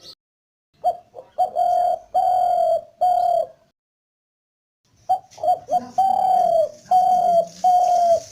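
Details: Spotted dove calling: low, hoarse coos in short bursts, several drawn-out notes with small gaps, a silent pause of over a second, then another run of coos with a slightly rougher undertone.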